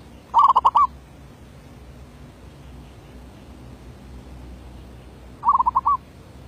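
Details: Zebra dove used as a decoy, giving derak labuh song: a quick stuttering run of five or six cooing notes, then a long pause before a second similar run.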